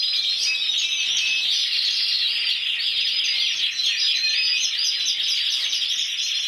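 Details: A 2014 champion of Spain, this intense yellow canary with 94 points sings a dense, continuous warble mixing buzzy trills and fast chattering notes, sustained at even loudness throughout.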